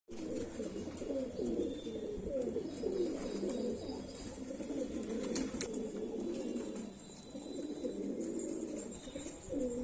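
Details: Highflyer pigeons in Moradabad, a dense chorus of many birds cooing at once: a steady low burbling murmur of overlapping coos with faint higher clicks and rustles above.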